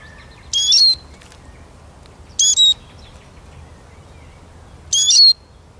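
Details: Eurasian siskin giving three short high calls, each a bright whistled note sliding down with a buzzy edge, spaced about two seconds apart over a quiet background.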